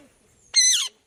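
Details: Indian ringneck parakeet uttering a single loud, nasal, harsh squawk lasting about a third of a second, which drops slightly in pitch at its end, in an otherwise quiet setting.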